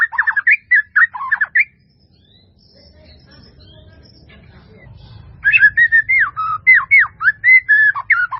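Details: White-rumped shama giving a melodious, fully varied song used as a training recording: quick clusters of rich whistled and slurred notes, then a pause with only a faint low hum, then another run of rapid fluty phrases.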